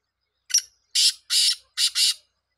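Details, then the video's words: Black francolin giving its grating call: one short harsh note, then two pairs of loud rasping notes, five in all, over about two seconds in an otherwise quiet setting. "titar sultan voice"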